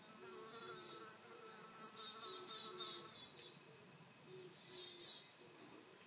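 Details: Willow tit call notes in a recording that also holds some coal tit and varied tit voices: thin, high descending notes and short buzzy chips in loose clusters, with faint lower tonal notes underneath.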